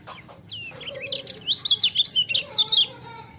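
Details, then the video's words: Lemon-bellied white-eye giving a lively ciak song: a descending whistled slur, then a fast warbling chain of high chirps lasting about two seconds, with a faint lower tone. "MASTERAN KECIAL KUNING CIAK JOSS GACOR"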